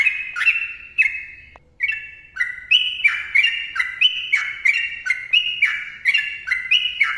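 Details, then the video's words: Sooty-headed bulbul in full 'ropel panjang' rapid song: after a short opening phrase and a pause, a steady chain of bright, slurred, up-and-down whistled notes about three per second, with crisp clicking sounds alongside. "TRUCUKAN GACOR ROPEL PANJANG MBONANG SUARA RAPAT"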